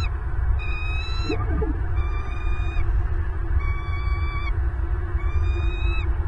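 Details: Southwest Florida bald eagle nest, wild birds on camera, 8 December 2022 at 09:32: four repeated shrill, piping call notes with faint whistled overtones, separated by short pauses, over a continuous low hum.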